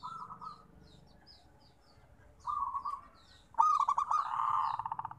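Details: Local zebra dove song for coaxing quiet birds to sing: a few low, smooth coos building into a loud, rapidly stuttering trill that rolls on, with faint high twitters of other birds.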